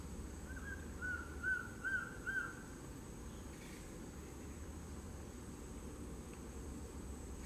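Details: A male Collared Trogon sings a short run of four soft, mellow hoots, evenly paced about every half second, over a low steady rumble.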